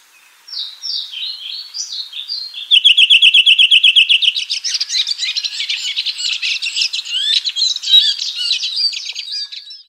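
A Red-throated Thrush sings: a short warbled opening, then a quick run of about ten loud, evenly repeated notes, then a long, high, scratchy twittering medley.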